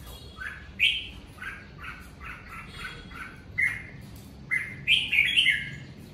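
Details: Red-whiskered bulbul kept at home, singing in the Covid season: a lively run of short, rich whistled notes repeated about four per second, then louder rising and falling warbles near the end.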